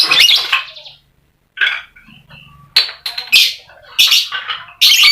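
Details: Caged lovebird singing, used as a lure to get lazy lovebirds to sing: bursts of harsh, high, scratchy chattering and squeaky notes in loud phrases separated by short pauses.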